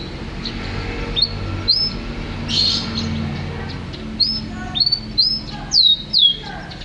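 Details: Champion canary song with repeated slurred whistles, building to several loud sweeping downward notes toward the end, with a low steady background hum.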